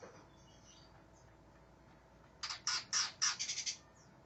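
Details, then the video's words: Greater green leafbird described as aggressive and seeking an opponent: after two quiet seconds of hiss, a run of about eight loud, harsh, buzzy chattering notes, evenly spaced and close together. "cak ijo NGAMUK cari LAWAN NO KAWAN"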